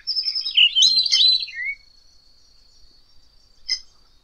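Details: Variable oriole, a passerine of the family Icteridae: a burst of rich whistled and warbled notes sweeping between mid and high pitch for under two seconds, then quiet with one short bright note near the end.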